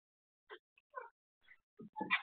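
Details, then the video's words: A black francolin gives a short burst of harsh, grating notes, spaced unevenly and rising into a louder, scratchy final phrase. "kala teeter black francolin beautiful speaking"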